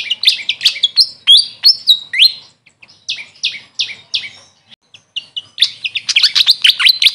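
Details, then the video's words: Grey fantail, known locally as Maria Capra, uttering high, slurred chirps in quick series, about three per second, easing off mid-clip before a burst of rapid twittering at the end. "Grey Fantail bird call||huni ng Maria Capra kung sa amin tawagin"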